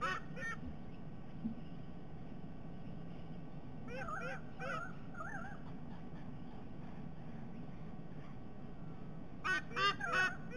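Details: White-bellied sea eagles SE27 and SE28 at Sydney Olympic Park, Australia, on 22 October 2021, during a shared breakfast, give loud, nasal, goose-like honks in three short bursts of clipped notes over a steady low rumble of wind.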